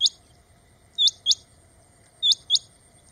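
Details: Rain quail, Coturnix coromandelica, of grassy open country, calling: sharp, high paired notes, each pair two notes about a quarter second apart, pairs repeated roughly every 1.2 seconds, over a faint steady background hum.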